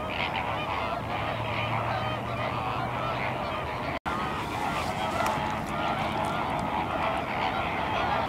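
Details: Honking chorus of many flamingos on the salt lake at Larnaca, Cyprus, steady and overlapping, with a faint low hum early on and a momentary gap midway.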